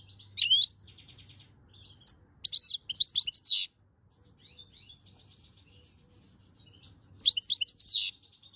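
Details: European goldfinch singing, recorded in May 2022: bursts of bright, tinkling twitters and fast high trills, with a pause between phrases and a low steady hum underneath.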